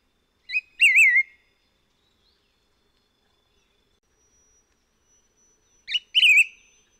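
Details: On Hehuanshan in Taiwan, a white-whiskered laughingthrush gives a short note and then a bright, wavering, rounded whistle. The same phrase repeats about five seconds later against a quiet background.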